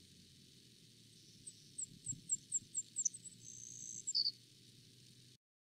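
Savannah Sparrow song: a run of thin, high ticking notes, a dry insect-like buzz, then a couple of lower closing notes. A faint low hum lies underneath.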